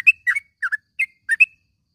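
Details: Yellow-vented bulbul morning call meant for training caged birds: six quick, bright, liquid notes in pairs, each a short downward-slurred chirp, with no other sounds.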